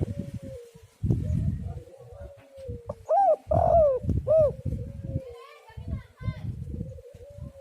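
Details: Spotted dove calling, played as a lure to get other doves to call: three arched, hollow coos in quick succession mid-clip, each rising then falling, over a steady faint hum and heavy low rumbling thumps before and after.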